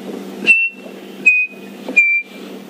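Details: Chinspot Batis morning song heard on an early-morning safari drive: three clear, pure whistles, each slightly lower than the last, spaced under a second apart, over a low vehicle engine rumble.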